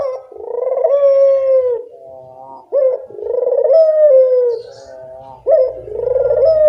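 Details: Puter dove, a strongly calling bird, giving long, rolling coos that sag gently in pitch, each opened by a short sharp note and repeated about every 2.7 seconds, with quiet pauses between and no other clear sounds.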